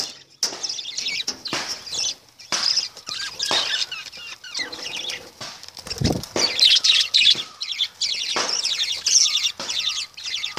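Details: Busy lovebird chatter with many sharp clicks and rustles, high scratchy chirps building into a dense shrill burst about two-thirds through.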